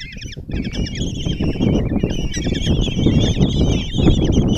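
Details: Common kestrel chicks, five in a nest box at Tiszalök, Hungary, begging while the female feeds them breakfast on 26 June 2024; continuous shrill, quavering overlapping squeals with heavy low-frequency thumping and rustle beneath.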